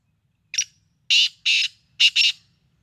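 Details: Black francolin's grating call, opening with a short sharp note, followed by two drawn-out rasping notes and ending in two fast harsh notes close together, in a quiet setting.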